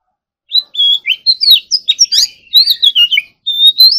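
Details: Oriental magpie-robin with its contest-style morning song: after a brief silence, a lively series of mixed whistles, chirps and harsher notes, ending on a long rising pure whistle.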